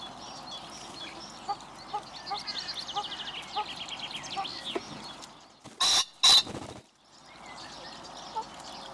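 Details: A male Common Pheasant in Recke, Germany, on 7 May 2021 gives two loud, harsh, explosive crowing notes in quick succession, announcing his presence over a background chorus of smaller birds.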